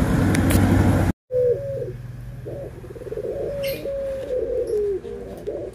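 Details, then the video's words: Barbary dove anggungan, white and brown birds compared: after a loud low rumble and a sudden cut, a drawn-out low coo wavers, rises slightly and slides down at the end, with faint chirps behind. "PERBEDAAN SUARA ANGGUNGAN BURUNG PUTER PUTIH DENGAN PUTER COKLAT"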